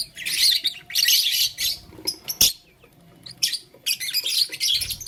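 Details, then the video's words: Lovebirds in blue, lutino and green colours, busy with a flower, make clustered scratchy high chirps in bursts of about half a second, with quieter gaps and a sharp click between them. "Blue Lutino Green LoveBird Playing Flower - Chirping Sound"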